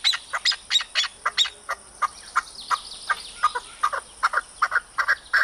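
Arabian partridge giving a rhythmic series of harsh, chuckling notes, about three or four a second, over a faint steady high-pitched hiss.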